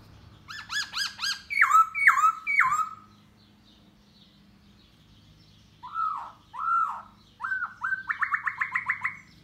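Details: A da bò laughingthrush sings and dances to lure a female: rapid stacked notes, three loud falling whistles, a silent gap, then descending slurs and a quick rhythmic series of short notes.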